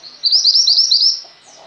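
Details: Female Mountain White-eye in vigorous song, recorded for tutoring pet white-eyes: one loud, tightly packed phrase of rapid, high, sweetly slurred twitters lasting about a second, fading into faint chatter.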